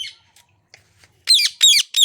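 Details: A pet talking rose-ringed parakeet, indoors and upset at an unfamiliar person it dislikes, gives three harsh, grating squawks in quick succession, each about a quarter-second long, after a few faint quiet sounds.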